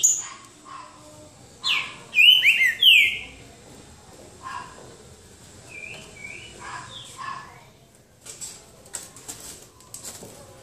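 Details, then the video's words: Green-winged saltator in a boca mole singing duel at João Monlevade: a strong burst of looping whistled notes, then softer, spaced whistles and scattered clicking noises. "Trinca ferro boca mole disputa"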